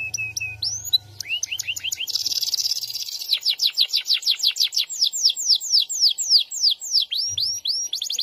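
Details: SF canary in full, energetic song with long rolling phrases. A brief steady whistle leads into dense buzzy trills, then a long run of sharp down-slurred whistled notes delivered several per second.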